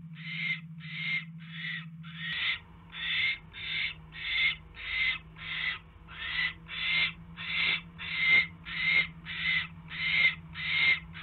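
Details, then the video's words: Owl at its nest during an evening mouse delivery, January 2016: loud, regular rasping hisses repeated about every two-thirds of a second, with a low hum fading out early. "Mouse Delivery"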